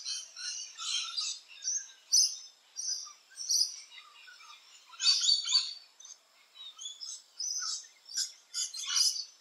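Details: Rainbow lorikeets in Australia moving between nesting holes: scattered shrill screeches and buzzy chirps, irregularly spaced, with a thicker cluster of calls near the end.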